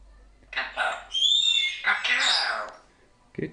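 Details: Pet African grey parrot, a young female under a year old, chatting away with words: harsh, speech-like squawky syllables with rich harmonics, a high whistled sweep in the middle, then a short click at the end.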